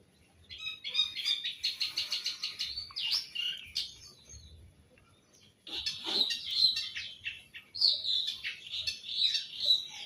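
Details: Long-tailed shrike, called cendet, singing: rapid chattering bursts of rasping and trilled notes with brief whistled phrases, a pause near the middle, then a further run of scratchy varied phrases.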